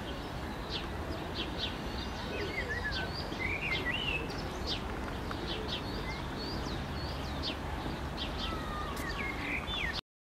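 A flock of red-breasted geese gives a steady stream of high, squeaky yelps and short rising notes, overlapping against a constant rushing background noise.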